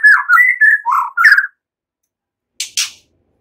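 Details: White-rumped shama in relaxed chattering song, mimicking cililin and ciblek, used as a lure to prompt songbirds: a run of five slurred whistled phrases over about a second and a half, a pause, then two sharp high chips.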